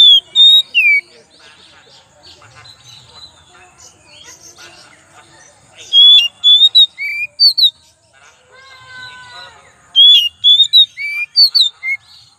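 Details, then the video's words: Oriental magpie-robin lure song: three bursts of loud, sharp whistled and slurred notes, separated by quieter stretches of soft chattering and twittering. "pancingan kacer"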